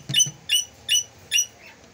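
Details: An aggressive rosella gives four sharp, ringing, high squeaky notes about every 0.4 seconds, with faint thumps at the start.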